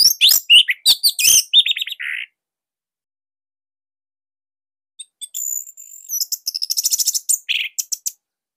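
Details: Orange-headed thrush song intended to provoke silent thrushes into singing: a rapid run of sharp notes and a buzzy note, a long pause, then a high trilling, chattering phrase.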